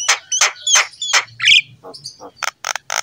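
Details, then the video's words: Javan myna in lively song, used to coax other mynas into singing: four loud harsh squawks about a third of a second apart, a whistled note, then softer buzzes and quick clicking chips. "KICAUAN JALAK KEBO GACOR"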